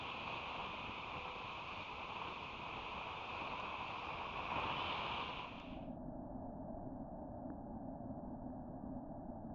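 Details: Steady broadband rushing noise, like water or a running engine, whose upper hiss cuts off near six seconds, leaving a lower hum; no animal calls heard.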